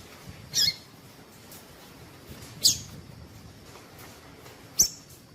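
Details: Female double-collared seedeater calling to stimulate male song; three short high chips roughly two seconds apart, the first a little longer, against steady low background noise.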